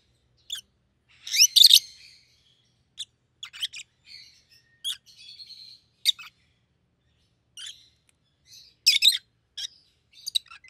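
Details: Red-headed rosy-faced lovebird pair, yellow and green, in a bout of loud harsh chirps early on, then sparse single shrill notes and short twitters, rising to a brief loud cluster near the end.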